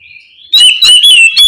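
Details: Oriental magpie-robin calling its mate or companion: a faint thin whistle, then three loud, rich whistled phrases in quick succession.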